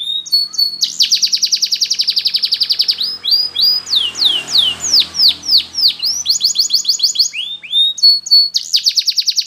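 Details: Spanish Timbrado canary singing for training: a long fast metallic trill of rapid repeated notes, a run of descending sweeps, then more quick rolling trills, with a faint low murmur underneath.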